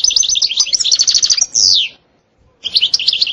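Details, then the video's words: European goldfinch song with its stated styles: a fast run of twittering, tinkling notes, then one sharp, high, buzzy downslurred note. After a short silence the twittering starts again. "تغريد حسون روعة ستستة وبتبتة خرافية"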